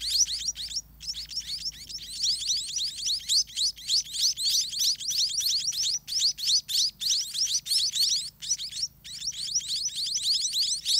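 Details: Hungry scaly-breasted munia nestlings begging greedily in a dirty nest while parents bring food; a continuous high-pitched chatter of rising squeaks, dense and insistent, with only a few momentary breaks.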